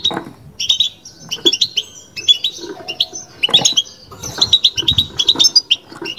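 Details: Kept European goldfinch in batbata song, delivering clipped twittering phrases, a drawn whistle and fast buzzy trill notes with short gaps, plus light low clicks.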